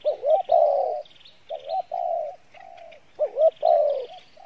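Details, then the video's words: Spotted dove, praised for good voice and fair cooing, Pha Bài Lối style: upswept double notes into long mellow coos, repeated twice, with a smaller bird's high chirping continuing in the background. "Đồng Pha Bài Lối , tốt Giọng , Gù khá"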